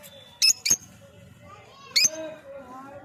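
Three sharp, shrill lovebird chirps, two close together and one after a pause, over a faint murmur of background sound.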